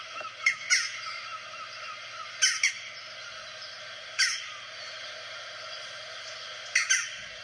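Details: A Western Jackdaw (Coloeus monedula), a common garden bird in the area, gives sharp, short 'chack' calls, mostly in quick pairs, spaced a couple of seconds apart, over a steady low hum.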